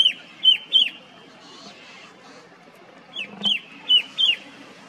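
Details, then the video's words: Red-winged shrike-babbler gives loud, clear, sharp high whistled notes with a slight downward hook, three in quick succession, a pause, then five more, in mountain forest at Motidhar, Mussoorie, in the western Himalayas. "Red-winged Shrike Babbler calls loud and clear"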